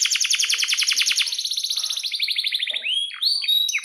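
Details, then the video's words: Canary in lively full song, a tutor recording for young birds learning to sing: a rapid rolling trill of repeated notes, then a slower buzzy trill, ending in sharp rising and falling whistled sweeps. "SUARA BURUNG || Kenari GACOR PANJANG Cocok untuk Masteran KENARI PAUD Macet"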